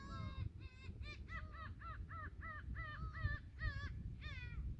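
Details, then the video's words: Gulls at Yedanpo port on Yeongjongdo by the tidal flats, on a sunset evening of 15 June 2023, give a rapid series of about a dozen harsh, nasal, harmonic cries, some dipping or wavering, over a steady low rumble. "갈매기 울음소리"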